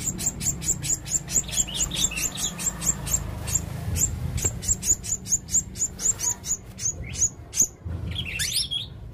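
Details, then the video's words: Male blue-crowned hanging parrot singing: a fast run of very high, sharp repeated chips, roughly two per second, ending in a burst of twittering warbled notes, with low background hum. "burung serindit jantan gacor"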